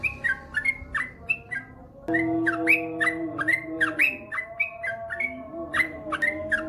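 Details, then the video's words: Long ropel song of a yellow-vented bulbul (trucukan), a training recording: rapid, liquid whistled notes that swoop up and down in a lively continuous stream, over a low sustained hum and faint steady tones. "SUARA trucukan gacor ropel panjang"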